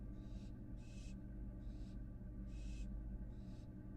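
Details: Young American barn owl, already fledged, back at the nest box on a Florida live cam: six loud, breathy hissing bursts in four seconds over a low electrical drone.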